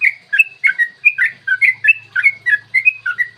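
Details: Yellow-vented bulbul in the long 'ropel panjang' style, used to provoke other bulbuls to sing and fight: lively bubbly warbled notes, rising and falling, delivered in quick runs of about four per second with nothing else audible.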